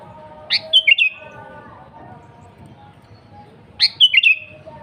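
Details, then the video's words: Energetic sooty-headed bulbul song. A phrase of one sharp upslurred note and three bubbling notes is repeated about every three seconds, with quiet background noise between. "Suara Burung KUTILANG GACOR"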